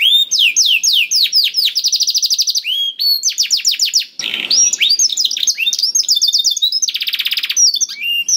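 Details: Canary song used to prompt a quiet canary to sing: loud, fast, continuous trills of repeated high sweeping notes, shifting between rapid rattles and slurred whistles with hardly a pause, plus one short buzzy burst.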